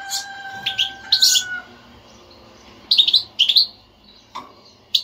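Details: European goldfinch chatter, bitbita style, played to make a non-singing goldfinch sing: a few high twittering notes over a steady two-tone drone, then two bright tweeting bursts and a single click.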